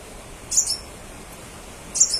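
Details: Crimson sunbird song meant to provoke answers from other crimson sunbirds: two short, shrill, high twittering bursts about one and a half seconds apart over soft hiss.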